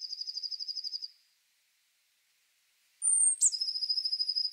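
A Blue Tit sings a fast, high, even trill, pauses, then gives a thin sliding high note that runs straight into another long buzzy trill.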